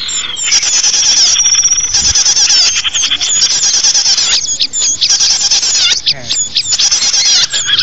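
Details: Many small birds twitter continuously in audio for luring small birds; high, scratchy chirps and whistled slurs overlap, with a lone sustained thin whistle early on.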